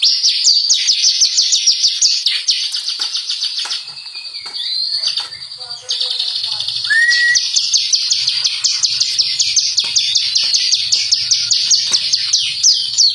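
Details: Bar-winged prinia lure song: rapid high trill of even, ringing chips, fading to a quieter passage with a few separate whistled and rising notes, then the fast trill returns strongly.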